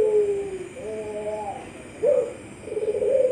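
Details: Puter Pelung dove, best in an October 2021 online bird-song contest in Sragen, giving a falling coo, a pair of wavering notes, then a sharp accent and a rising, pulsing final coo.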